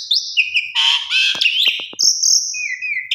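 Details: Calling female Asian pied starling seeking a male: thin high whistles, a harsh raspy burst, several sharp clicks, then a long level high whistle and a lower one.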